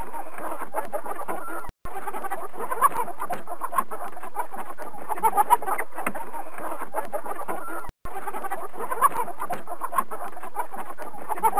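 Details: Chickens clucking together in a dense, continuous chorus of overlapping short low clucks and murmurs, with a steady high hiss throughout and two brief dropouts.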